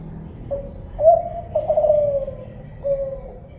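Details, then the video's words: Kelantan spotted dove: a brief coo, then a swelling, tremulous coo that glides downward at length, ending with a quiet, level coo. "suara burung tekukur kelantan"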